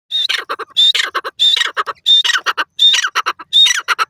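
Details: Grey francolin (desi teetar) calling in the jungle on its first day: loud repeated phrases, each a high clear whistle followed by a harsh rattling series of notes, six phrases in quick succession about every 0.7 seconds.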